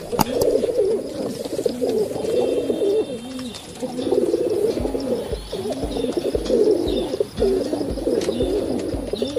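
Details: A huge flock of pigeons at the Gateway of India cooing: low, rolling, throaty coos that overlap continuously, each rising and falling about twice a second, with faint chirps and crowd murmur behind.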